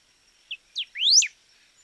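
Golden-billed Saltator giving a brief phrase: a short high note, a falling slur, then a loud rising whistle ending in a quick drop, all within a second.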